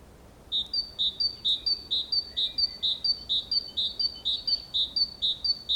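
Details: Great tit singing beside a nest box in Valencia on 24 April 2015 gives a bright two-note 'tea-cher' phrase, a lower whistle then a higher one, repeated about twice a second over a quiet background.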